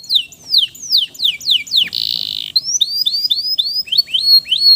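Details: Male canary song meant to prompt stressed canaries back into singing: descending whistled slurs, a loud buzzy rasp, then a run of quick rising whistles.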